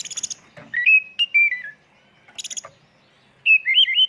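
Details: Kacer, or oriental magpie-robin, singing a lure song in full-isian tembakan style: sharp high rattling chips, then clear whistled notes sliding down in steps, a pause, more chips, and a final run of rising and falling whistles.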